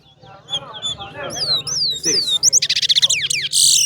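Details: A caged Chestnut-bellied Seed-Finch (towa towa) at a bird singing competition sings a fast, varied run of high whistled slurs that turns into rapid buzzy trills near the end, with faint voices behind.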